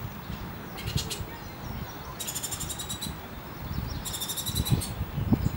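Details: Bullock's oriole nestlings give three bursts of high, buzzy, rapidly pulsed chatter, each lasting under a second, over a steady low rumble.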